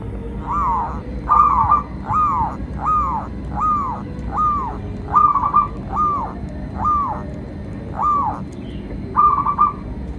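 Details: [0.0, 'Local zebra dove song used to train and lure doves: a regular series of about a dozen arched coo notes, roughly one per second, ending in a short rolling trill, with low hum underneath.']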